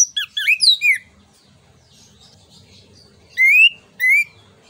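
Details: Orange-headed thrush song meant to stimulate other birds: a quick cluster of twisting whistles, a pause with faint background hum, then two drawn-out rising whistles.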